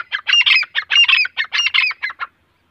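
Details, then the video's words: A pair of grey francolins, male and female, called teeter, deliver about thirteen quick, grating, ringing notes in just over two seconds, loud and close, then fall silent. "Teeter voice Teeter sound Grey Francolin voice"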